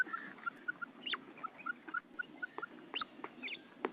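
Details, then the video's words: Female quail calling: short scattered chirps and sharp whistled notes, some clipped and some sliding downward, irregular among a low rustling background. "FEMALE BATAIR SOUND / مادہ بٹیر کی آواز"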